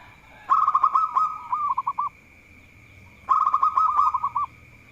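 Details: Lively local zebra dove, said to excel at baiting opponents, gives two phrases, each a fast bubbling trill running into a few rolled coos, with faint clicking and a constant high-pitched hum behind.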